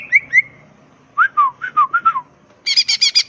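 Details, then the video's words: A tutor recording for training birds of a prolifically singing greater green leafbird in ngetrok style: two rising whistles, a run of five downslurred whistled notes, then a burst of four harsh buzzy notes. "SUARA BURUNG CUCAK IJO GACOR.. NEMBAK FULL NGETROK"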